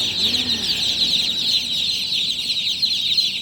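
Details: Just-born chicks at night making an unbroken wall of loud, high-pitched peeping, many birds calling over one another with no pauses.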